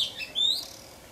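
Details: Oriental magpie-robin raising its young, recorded from a high vantage point; a quick pair of high, clear chirps, the second a short bright whistle, then faint hiss.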